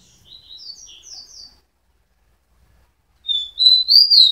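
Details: Rufous-collared sparrow singing: a soft series of short high downslurred notes, a pause, then a loud rising and falling trill-like phrase of sharp whistled notes.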